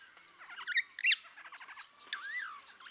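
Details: Rüppell's starling, also called Rüppell's glossy-starling or long-tailed starling, in Kenya: a burst of harsh, squawky chattering notes with loud rasping peaks, then a clear whistle sliding downward, with quieter twittering around it.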